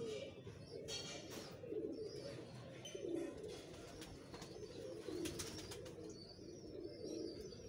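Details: Teddy pigeon pair cooing: low, soft rolling coos repeated every couple of seconds, with scattered clicks and faint background sounds.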